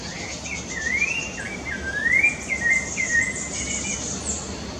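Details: Song of a rufous-bellied thrush at Parque da Chacrinha, Rio de Janeiro, October 2019: rising and falling whistled phrases linked in a flowing series, over a constant high-pitched insect drone.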